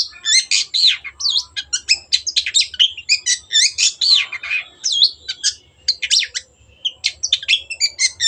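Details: Vocal long-tailed shrike on a lure recording meant to get birds singing again: dense, nonstop outpouring of high chirps, looping whistles and harsh chatter at a hurried pace.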